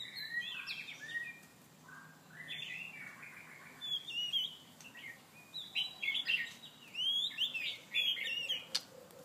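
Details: White-rumped shama chasing to mate, singing bursts of clear whistled and warbled phrases separated by short pauses, with occasional sharp clicks and flutters.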